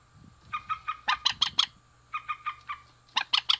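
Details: Rail pair, male and female, giving rapid runs of rasping notes, four to five per run, rising into louder emphatic notes, with a faint continuous whine and low hum behind.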